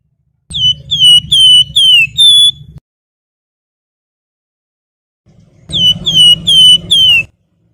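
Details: Flowerpecker in vigorous song, in the style called nyuling (flute-like whistling): two bursts of clear, pure whistled notes, each gliding slightly downward, five or six in quick succession, with a faint low rumble underneath.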